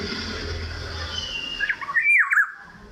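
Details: Black-naped oriole singing in light drizzle: after a background hiss of rain, a loud burst of fluty whistled notes that slide up and then drop sharply in a short liquid phrase near the end.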